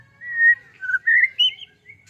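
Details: White-rumped shama giving a short run of clear, mellow whistled notes that step up in pitch, with a brief pause before a final note.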